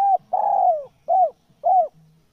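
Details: Spotted dove cooing, played to lure wild doves: the end of one note, a long sliding coo falling in pitch, then two short rounded coos, with a faint low hum at the close.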